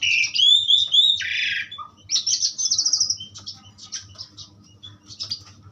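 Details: Asian pied starling in powerful pastol song: opening whistled slurs and a loud rasping note, then a fast buzzy trill, fading into softer scattered chips and clicks.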